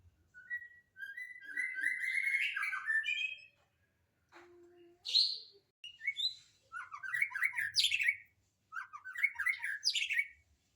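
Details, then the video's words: Captive-training recording of a white-rumped shama: clear phrases of sweet, slurred whistles rising and falling, broken by brief pauses, ending in quick descending note runs against a quiet background. "macam macam suara murai batu"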